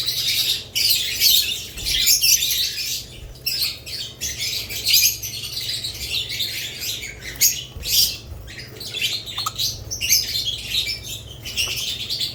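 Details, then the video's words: Budgerigar chirping comes in rapid squeaky pulses and warbles that swell and fade every second or so, with a low background hum throughout. "Budgerigars lovebirds Chirping Sounds"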